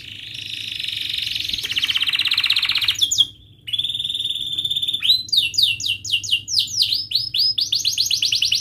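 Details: Lesson song of a canary for young birds: long buzzy rolling trill, a brief gap, a clear held whistle, then loud downslurred notes repeated in rhythmic series.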